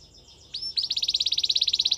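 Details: Canary singing a couple of rising slurred notes that break into a rapid, evenly pulsed bright trill, repeated many times per second.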